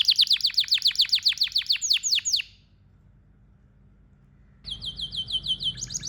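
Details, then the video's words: Pet domestic canary, male, singing: a fast trill of steep downward-sweeping notes, a pause of silence, then a bright repeated whistled phrase resumes. "Canary Singing birds sounds at its best | Super Melodies Canary Bird song"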